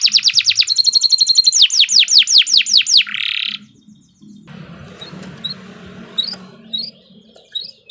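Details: Canary singing a long, lively song used as master training audio for other canaries: rapid high trills, then a series of loud downward-sweeping whistles and a buzzy burst, followed by quieter scattered chirps over low background noise.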